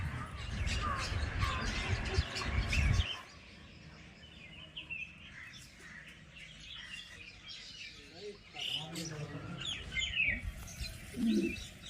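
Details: Birds chirping around a village: loud rumbling noise for the first three seconds, then quieter scattered chirps and short twittering phrases from several birds.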